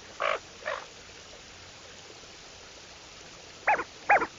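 Lesser scaup giving four short, harsh, growly notes: two at the start, then a pause, then two closer together near the end. The background is otherwise quiet.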